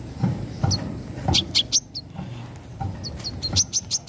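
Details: Brown-throated sunbird giving its 'wiceh' song, delivered in sharp bursts: scattered high, thin chirps and short zipping notes in loose clusters, with a steady low rumble and faint thuds beneath.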